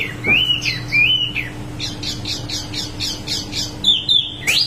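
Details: Small wambi in full rolling song: a squeaky rising whistle, then a rapid series of bright, high chirps, closing with a sharp upward squeal; constant faint hum behind.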